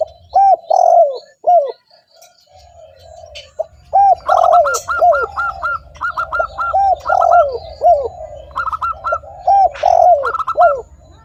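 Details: Spotted dove calling steadily, used as a lure to draw other spotted doves: arched, mellow coo notes in short phrases, overlaid by a quick series of higher, clipped repeated notes, with a low rhythmic rumble underneath.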